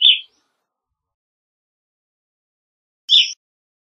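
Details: Two clipped, slightly buzzy evening grosbeak chirps, one at the start and one three seconds later, with silence between.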